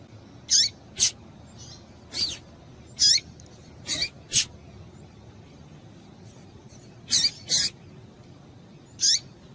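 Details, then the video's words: Female double-collared seedeater calling to excite males: short, high chirps sliding sharply downward, mixed with brief broadband clicky notes. They come in irregular pairs and singles across the stretch over a faint low hiss. "Piado de Fêmea de Papa capim Para Esquentar Papa capim"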